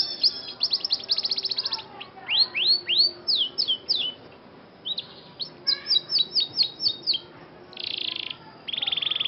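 A Scotch Fancy canary sings a bright, varied song of rapid trills, sweeping upward whistles and buzzy rolls, switching phrases every second or two.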